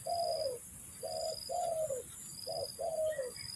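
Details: Spotted dove used for luring during trapping, delivering clear, mellow coos: a short note then a longer one drooping downward, twice in quick succession, over a steady high buzzing hum.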